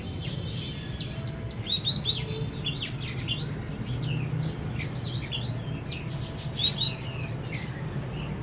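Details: Chestnut-flanked white-eye, locally called trích cồ, singing in a rapid, dense stream of thin, high twittering chirps that overlap almost without pause, over a steady low rumbling hum.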